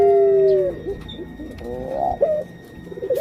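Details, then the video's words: Female puter pelung dove about to lay eggs holds a loud, pure, level coo that falls away, then gives quieter warbling, rising notes over a faint background hum. "Suara Indukan Burung Puter Pelung"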